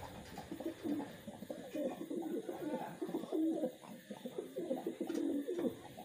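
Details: Several kept wild pigeons coo continuously and overlap one another in a busy, low, murmuring chorus of rolling phrases.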